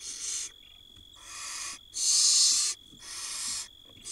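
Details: Barn owl nestlings begging as their mother feeds them, one tiny chick swallowing a mouse; four drawn-out rasping hisses, each about half a second to a second long, the third loudest, over a faint constant tone.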